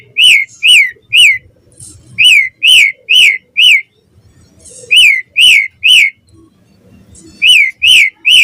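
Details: Asian pied starling singing in the morning as a lure for other starlings: groups of three to four loud, ringing whistled notes, each swooping down then up, separated by short pauses.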